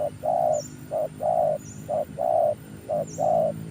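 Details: Decoy spotted dove, newly trained, used for luring: a steady rhythm of paired coos, a short note then a long mellow one, repeated about once a second, with faint high chirps of small birds behind.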